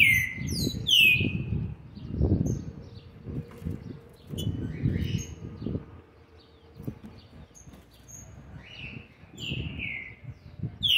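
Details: Young green-winged saltator, seven months and twenty days old, November 2020, gives scattered short phrases of descending whistled notes between pauses, over repeated low thumping and rustling noise.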